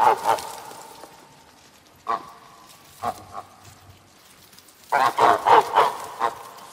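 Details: Farm goose honking: a couple of calls, then scattered single honks, then a tight cluster of loud, nasal honks near the end.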